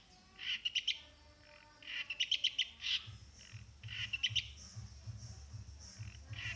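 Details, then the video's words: Champion long-tailed shrike from Plaosan singing quick staccato bursts of three to five bright notes spaced about two seconds apart, with a low droning background. "burung cendet "ABG" plaosan juara"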